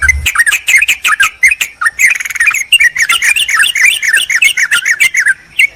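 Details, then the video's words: Sooty-headed bulbul calling a rival, a lure to attract wild birds: quick, bubbly, chattering notes rising and falling, delivered in a dense stream with short gaps and clicking sounds between phrases. "Trucukan memanggil lawan"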